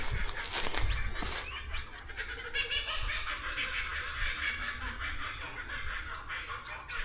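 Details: Several kookaburras in Australian bushland with rocky, dense vegetation and paddocks laugh together, going crazy in a loud, rollicking chorus of cackling, chuckling notes throughout, over low wind rumble and a brief human voice.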